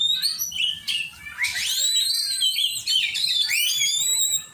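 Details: Oriental magpie-robin singing in a training session, a loud run of upward-sweeping whistles and rich warbled phrases, rapid and varied, with brief breaks between bursts.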